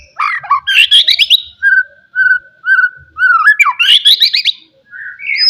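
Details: Loud forest white-rumped shama song aimed at rival birds: fast tumbling trills and sweeps, a run of repeated even whistled notes, then another rapid flourish and a final rising whistle.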